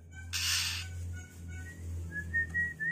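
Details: A young, tame Oriental magpie-robin gives thin, plaintive calling whistles at night, short at first, then longer and slightly rising, over a low steady hum and a brief rustling burst.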